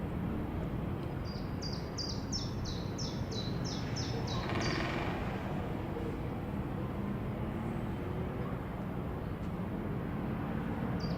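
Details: Great spotted woodpecker in Leiderdorp, the Netherlands, recorded 8 April 2018, giving a run of sharp, high kik calls, about three per second for four seconds, over a steady low traffic rumble.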